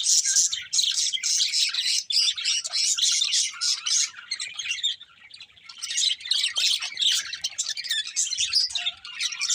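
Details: Colourful budgies, a breeding pair, chirping in long rushes of rapid, gritty chatter, about four notes a second, with a short lull in the middle before the warbling resumes.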